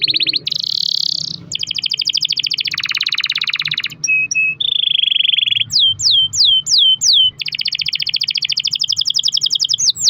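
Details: Canary delivering long rolls to spur other canaries to sing: extended buzzy trills, some held for seconds, alternate with a steady whistled tone and a short burst of sharp downslurred notes, then another long rapid roll.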